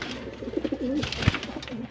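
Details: Pigeons being paired for breeding give a low, rolling coo. The coo wavers and bends through about half a second, and a sharp click cuts in near the end.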